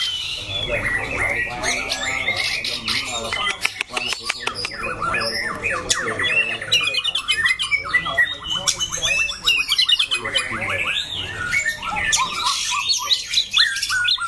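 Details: Caged competition white-rumped shama with a loud, harsh, varied voice: a dense run of whistled phrases, rattles and sharp clicks, rising and falling quickly, with changing notes throughout and some noise in the background.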